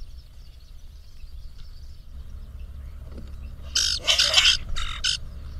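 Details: Two male grackles puffing up and presenting themselves to a female, recorded with a Birdsy camera; after nearly four seconds of low hum, a quick cluster of harsh, squeaky, broadband bursts ends the stretch.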